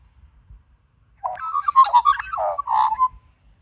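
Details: Australian magpie warbling at close range in a garden: a quick run of mellow, gurgling, fluty notes with throaty chortles, rising and falling over about two seconds, clear against near silence.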